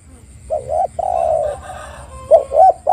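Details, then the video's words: Spotted dove call used as a lure to get silent doves singing: a short low coo, then a longer sustained mellow coo, followed by two brief clipped coos, over a steady low rumble. "PANCINGAN TEKUKUR AGAR BUNYI dalam 1 menit"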